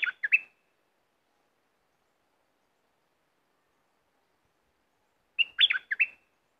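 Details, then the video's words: Fierce caged red-whiskered bulbul used as a decoy for wild birds. It sings a brief cluster of quick, rolling notes, falls silent for about five seconds, then repeats a similar bubbly phrase. "burung merbah lekir bayhoach thom gacor bahanan"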